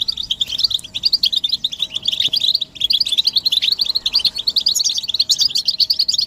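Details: Chorus of European goldfinches giving group twittering, said to be mating and readiness calls that push males out of silence into song; bright, tinkling high chirps pour out continuously with only brief gaps.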